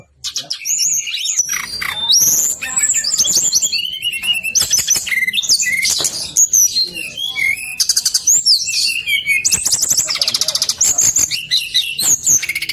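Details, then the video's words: Brown-chested jungle flycatcher, male, in an extended 'ngeroll' rolling song: a long, loud, ceaseless medley of high whistles, swoops, rapid trills and clicky notes, changing phrase every second or so. "SIKATAN RIMBA DADA COKLAT NGEROOLL PANJAAAANG"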